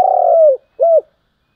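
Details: Spotted dove decoy bird with a full, very tense voice giving 'thúc gù' cooing: one long buzzy coo that falls at its end, followed by a short clear arched coo.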